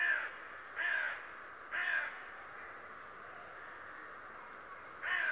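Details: Harsh, nasal caws from a raven said to talk, four short calls spaced roughly one second apart, then a longer gap, over a steady low hiss.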